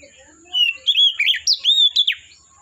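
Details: Oriental magpie-robin singing in the forest: a loud run of clear whistled phrases, sliding up and down, some notes sharply rising or falling, over faint background quiet.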